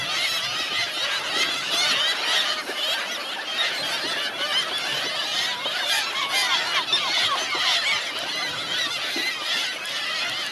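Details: Flock of hungry seagulls, Helløya, 2017; a thick wall of many overlapping harsh, rapid calls, squealing and chattering continuously, individual voices blurred into a steady roaring clamor.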